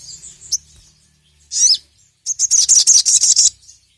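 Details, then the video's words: Sogon sunbird in ngeriwik style, calling a rival: a lone high chirp, a brief loud buzzy burst, then a fast run of rapid high notes lasting about a second. Faint low hum underneath. "SOGON GACOR NGERIWIK LANGSUNG BONGKAR EMOSI dengar masteran burung sogon gacor memanggil lawan ini"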